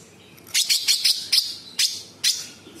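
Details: Energetic sooty-headed bulbul delivering rough 'tembakan' song: a quick series of five or six sharp, scratchy, high chips with tight spacing, then two more spaced harsh notes toward the end.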